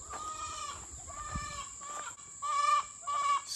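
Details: Farm hen that has not yet laid, calling before going into the nest box, gives four drawn-out nasal calls of about half a second each, the last two louder, over a steady high electrical whine.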